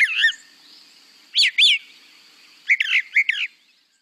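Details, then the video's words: Played-back Brown Thrasher song, a bird that tends to repeat each phrase twice: clear doubled slurred whistles, then a quick run of paired chirping notes, with quiet pauses and faint background hiss. "hear a lot of wine eNOS to it but the song is kind of all over the place compare that to a brown thrasher which tends to repeat each phrase"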